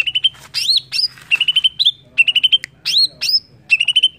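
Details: Song of a greater green leafbird, played to provoke singing, with quick chattering runs of four to six clipped notes alternating with bright upslurred whistles, phrases coming about every half second.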